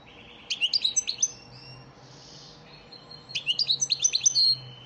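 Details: European goldfinch singing the elmacık lesson song used to train caged birds: two bursts of about eight quick, high, slurred twittering notes, with a soft whooshing sound between them and a low hum beneath.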